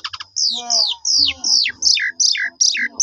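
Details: Black-collared starling lure song: a string of about eight loud, sharply down-slurred whistled notes, each about a third of a second long and repeated at a fast steady pace, with faint lower chatter beneath.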